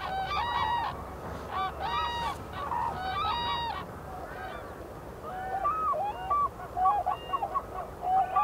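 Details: Endangered black-necked cranes at their winter foraging grounds in Phobjikha Valley, Bhutan: clear trumpeting calls early, then softer, shorter honks from farther birds, over a steady low rumble.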